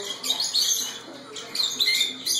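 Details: Pepsi, a 4½-year-old male Timneh African grey parrot that acts like a dog, gives two harsh, raspy bark-like bursts about a second apart, imitating a dog, in a small quiet room.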